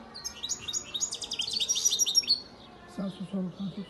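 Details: Goldfinch from Antalya, Turkey, hatched in 2019, delivering a rapid, tinkling run of high chirps and twitters for about two seconds. A few lower, voice-like sounds follow after a short pause.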